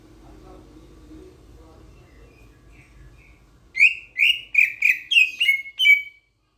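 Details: Grosbeak starling from Sulawesi, after a few seconds of low murmuring, bursting into seven loud, sharp chirps at a steady quick pace, each slurred downward.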